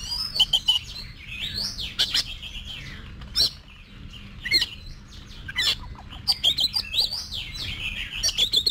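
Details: Oriental magpie-robin in training for singing competitions, delivering a varied run of whistled, slurred notes and sharp clicks with brief pauses, over a constant low hum.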